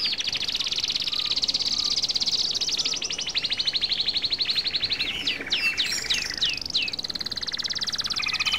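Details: European goldfinch song: a long, continuous high twittering trill, then a burst of sharply dropping slurred notes before the rapid chatter resumes.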